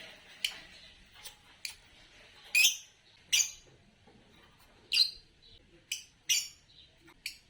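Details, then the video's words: Green Fischer's lovebird: a series of about ten sharp, clipped chirps at uneven intervals, a few louder and rasping, the rest quick thin ticks. "10 Charming Variations of Lovebird Chirping Sounds"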